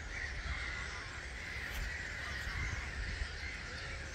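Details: Some 250,000 starlings streaming off their roost at 05:45, Gibraltar Point NNR, 21 March 2022: seamless high chattering chorus with occasional clearer squeaks, over low wind rumble.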